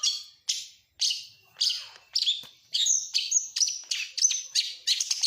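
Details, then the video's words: {'caption': 'Oriental magpie-robin of the Kacer Nasional type, singing imitations of lovebird, canary and prinia: spaced harsh high chirps that speed into a quicker run of piercing whistled notes, almost two per second.'} "Masteran burung KACER FULL ISIAN | Kacer Nasional isian lovebird kenari prenjak"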